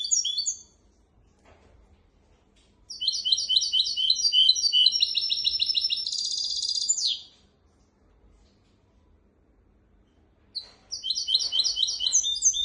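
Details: Goldfinch x canary hybrid in full song, kept to tutor goldfinches and canaries: bursts of rapid high chattering phrases with a buzzy trilled rattle in the middle, separated by pauses of several seconds.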